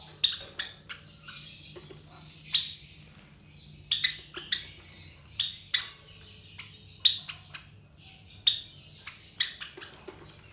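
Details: Captive Java sparrow nestlings around 23 days old, three in the brood from white parents, uttering thin piercing chip notes, sometimes doubled, spaced irregularly across the stretch over a quiet indoor background.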